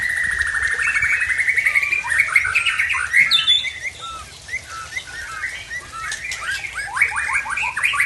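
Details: Tangse-bred white-rumped shama from Aceh displaying its learned repertoire, opening with a long sustained whistle that breaks into rapid varied chirps, trills and downslurred notes.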